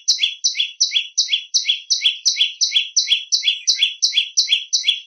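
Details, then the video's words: Prenjak lumut giving a shrill song used as a master recording for training other birds: high, sharp two-part notes, a brief upper note followed by a lower slurred one, repeated steadily about three times per second, with no other sounds. "Masteran burung prenjak lumut. Si kecil bersuara melengking."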